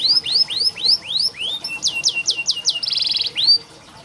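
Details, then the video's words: A canary singing for song training of young canaries: a series of rising slurred whistles, then quicker clipped notes, a short buzzy roll and one last sweep before fading. "Burung KENARI malas bunyi Terapi untuk burung kenari masteran canary"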